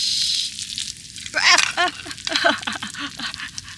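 A person talks over crackling, sizzling noise, with no animal voice present.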